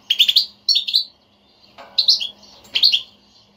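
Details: European goldfinch giving a betbeta chatter, used to excite a silent goldfinch into song: rapid ringing high twitters in dense bursts of several notes, repeated about every second, with one soft knock.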